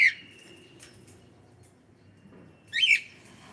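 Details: Cockatiel uttering two loud, harsh squawks, the first trailing into a thin level whistle, the second a sharp burst nearly three seconds later, in otherwise quiet surroundings.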